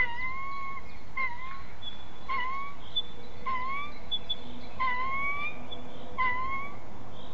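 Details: Family of white-tailed eagles quarrelling over prey at a nest in Ķemeru National Park, live camera: loud, clear yelps rising then bending down, repeated roughly every 1.3 seconds, over constant low background hum.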